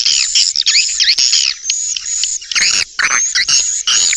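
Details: Swiftlet lure call: looping, curved squeaky chirps repeated in short phrases, broken by a few harsh broadband bursts, over a steady high tone.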